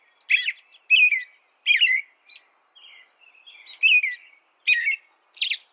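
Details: An American robin sings: three loud, warbled, whistled phrases in quick succession, then a short stretch of softer, quieter notes, then three more strong phrases.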